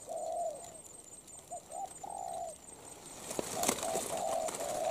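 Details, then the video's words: Recently caught wild spotted dove, currently moulting, said to have a good voice and to coo well and quickly, gives soft, low cooing in short phrases, long hollow coos one after another, with rustling and clatter behind. "tốt tiếng , liền lẹ , bài khá , gù tốt"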